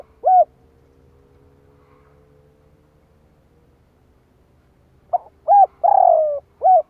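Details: Spotted dove call used to attract wild doves. A lone short coo, a long pause with a faint steady hum, then a full phrase: soft notes, a short coo, a long descending coo and a brief final coo.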